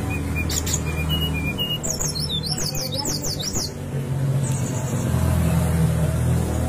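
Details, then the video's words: Brown-chested jungle flycatcher song, played to prompt silent captive birds to sing: a few thin, high whistles, then a quick burst of sharp, tumbling warbled phrases over a steady low rumble. "pancingan srdc agar cepat bunyi dan masetan srdc"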